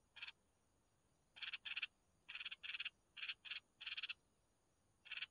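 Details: Red-whiskered bulbul chicks fed by the mother give harsh, buzzy, rasping bursts in pairs and short runs, separated by silent gaps, over a quiet background.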